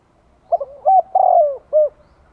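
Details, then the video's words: Vietnamese decoy spotted dove calling to attract wild birds: one soft cooing phrase of a quick double note, a short coo, a long sliding falling coo and a final clipped note, otherwise silent. "Tiếng chim cu gáy gọi kích mồi hiệu quả"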